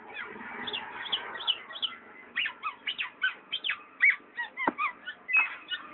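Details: Black-naped oriole, named by its local name kepodang, giving a busy run of short harsh and whistled notes, many rising or falling sharply, repeated several times a second with a burst of chatter at the start.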